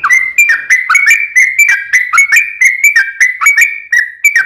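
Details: Sooty-headed bulbul singing a brisk series of whistled, bouncing chirps in the long 'ropel panjang' style, used to prompt a kept bird to respond.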